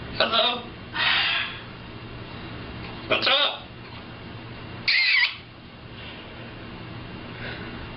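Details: Talking macaw telling another parrot to shush: four loud, harsh, raspy voice-like bursts with wavering pitch, each under a second, spread across several seconds over a steady low indoor hum.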